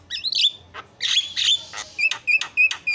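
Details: Javan myna with a whistled squeal, a few rough rasping notes, then sharp clipped calls repeated roughly three times a second.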